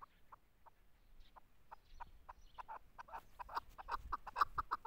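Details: Chukar partridge calling: a rhythmic series of short clucking notes that starts faint and sparse, then grows louder and faster into a dense chattering run.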